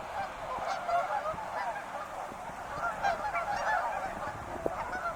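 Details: Steady honking from a flock of wild geese, many birds calling at once in a rapid, uneven stream of short nasal notes.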